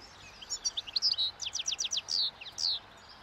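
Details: Wild European goldfinch at a roadside, eating the previous year's thistle seeds as spring approaches, giving breeding song: scattered twitters building into a rapid series of sharp descending chirps, then two long buzzy notes.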